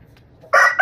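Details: Rooster crowing: a loud, harsh, rich opening burst that breaks briefly, then resumes strongly, cut off after under half a second.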